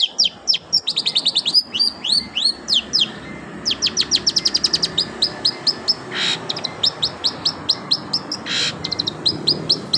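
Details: Long-tailed shrike singing a canary-like imitation: rapid runs of sharp, high chirps and downslurred notes in quick bursts, pausing briefly, with two short hissy noise bursts near the end.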